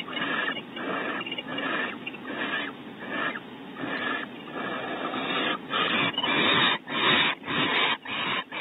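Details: Barn owls at Audubon Starr Ranch, California, as the male brings prey from the pantry to the female on a bonding visit; steady, fast sequence of loud breathy hisses, becoming sharper and more clipped toward the end.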